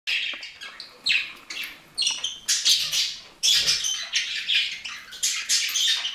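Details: Budgerigar chattering: scratchy, buzzy warbling in broken bursts that swell roughly once a second, mixed with higher chirps and squeaks, continuous throughout.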